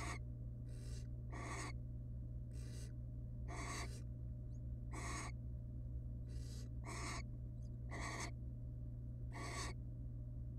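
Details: In a nest box watched for research, a wild barn owl family at rest gives about eleven harsh hissing snores in irregular rhythm, some paired closely, others spaced over a second apart; a steady low hum continues throughout.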